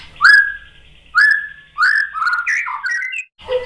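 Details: White-rumped shama song meant to make other birds answer: two loud, clear upslurred whistles, then a varied warbling phrase of quick slurred notes.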